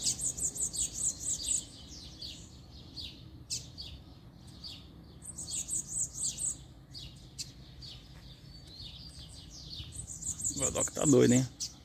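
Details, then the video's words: Singing double-collared seedeater heard during a walk: several separate bursts of high, rapid repeated notes with quiet gaps, ending with a loud low thump or handling noise. "Encontramos 2 Coleiros Cantando!!!"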